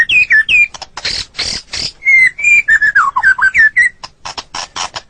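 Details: White-rumped shama, recorded as a training song for caged birds, opening with falling whistles and rough noisy bursts, then a run of clear whistled notes stepping down in pitch, closing with harsh clicks.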